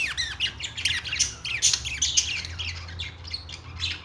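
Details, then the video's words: Budgerigar, an Australian parrot, singing: a dense run of rapid chirps, clicks and squeaky warbled notes crowding the treble, tumbling on without pause, over a steady low hum in the background. "Australian parrot singing#Australian parrot sounds#"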